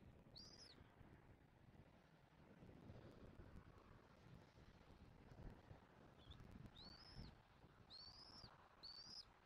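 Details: Bald eagles feeding a chick at a Southwest Florida nest, caught by nest camera on 06/01/2024. Wind-like rumble dominates. One high arched whistle comes near the start, then after a long gap a quick run of four more toward the end.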